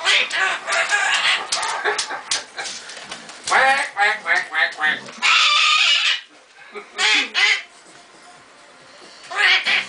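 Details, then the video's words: A male pet Goffin's cockatoo gives harsh, nasal, duck-like quacking calls in quick bursts with short quiet gaps. The owner suspects he learned them from a baby Timneh African grey neighbour at the breeder, which honks when hungry. "(Quacker) Goffin Cockatoo"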